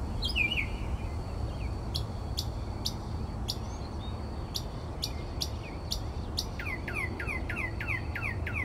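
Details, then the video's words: Mockingbird at 4 am in Texas singing at night: a warble, then sharp clicks repeated roughly every half second, switching to a fast series of descending slurred notes. "Mockingbird Singing Outside My Bedroom Window...at 4am!"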